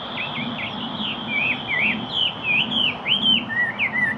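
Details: Yellow-breasted chat singing a fast, continuous stream of slurred whistled notes that dip and rise in quick loops, with a steady thin high whine running underneath throughout.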